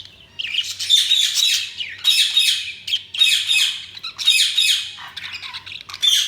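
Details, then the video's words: Chirping budgerigars in loud, grating warbled phrases of about a second each, separated by short gaps, high and harsh with rapid chatter inside each burst. "Budgies Sounds| Budgies Chirping sound"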